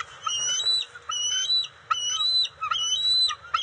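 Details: Juvenile bald eagles on the NCTC nest, June 29, 2021, while eel and fish are delivered; thin, high, piping calls, each with a short sharp onset, repeated about five times.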